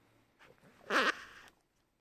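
A green-cheeked parakeet gives a single brief, raspy squawk with a wavering pitch, preceded by softer chatter in a quiet room.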